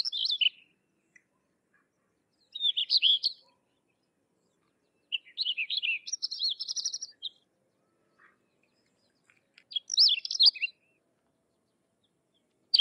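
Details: Sykes's lark giving short bursts of quick twittering and warbled notes, separated by pauses of one to two seconds, with one longer jumbled phrase in the middle; the surroundings are quiet.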